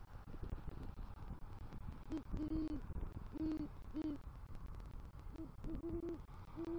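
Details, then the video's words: Great horned owl at a Southwest Florida nest tree at night, November 2023, a male bringing rodent prey and calling for the female; after a noisy start, low soft hoots come in short clusters from about two seconds on, against steady background hiss. "Male GHO Brings Rodent Prey To Nest & Calls For Female"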